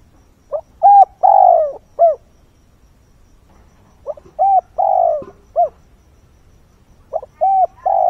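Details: Repeated coo phrases of a decoy spotted dove at dawn, calling wild birds in: three series roughly three seconds apart, each soft and hollow with a prolonged, downward-bending central coo; quiet surroundings.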